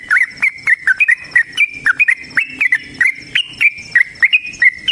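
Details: Long, lively fighting song of a Yellow-vented bulbul: a rapid series of bubbly, slurred phrases, each roughly a quarter second apart, delivered without pause. A faint high buzz lies beneath.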